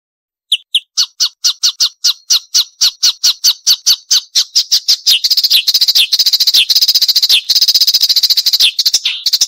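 A Marsh warbler sings a sharp, high series of clicking notes that speeds up into a fast, continuous run of piercing chatter and trills.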